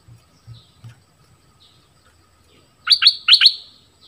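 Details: Southern Thai decoy bulbul delivers a brief pair of gurgling double notes after a few soft low thumps and near silence.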